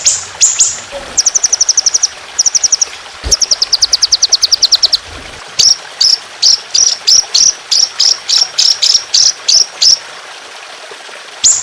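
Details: Indonesian trotolan songbird delivering harsh, long 'tembakan' phrases for training other songbirds: fast rattling trills of high notes, then an evenly paced series of piercing whistled notes roughly three per second, with trickling water beneath.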